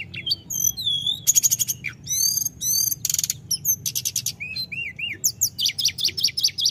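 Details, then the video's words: Busy 'gacor ngerol' song from a snowy-browed flycatcher: looping whistles, rapid buzzy trills, a dense high rattle and paired wavering notes, ending in quick repeated high chirps. "SUARA PANGGILAN TLEDEKAN GUNUNG FULL GACOR NGEROL"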